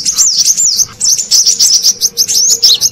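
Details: Lure call of the brown-throated sunbird for attracting wild birds. Continuous sharp, high-pitched chattering notes that twist up and down in quick succession over a soft background hum.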